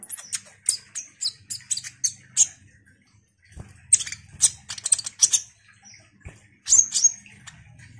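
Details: Ruby-cheeked sunbird singing as a lure to set off other sunbirds: quick series of high sharp chirps, a brief gap, then clustered squeaks and ticks in two bursts, over a low hum.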